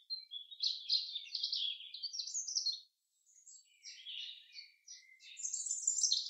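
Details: In a forest, a common chaffinch delivers two rapid, high-pitched phrases of tumbling notes that drop in pitch, separated by a brief pause, with other faint chirps around them.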